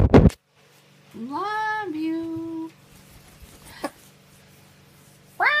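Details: An umbrella cockatoo speaks a drawn-out, two-part phrase, apparently "love you", rising then levelling into a steady lower tone, with brief clicks and knocks before and after.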